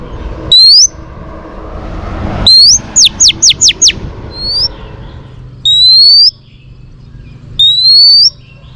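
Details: Female Oriental magpie-robin, kept for training, singing to stimulate males: loud clear whistled notes, each a rising sweep, then a quick run of five descending whistles, repeated in bursts every two seconds over faint background hum.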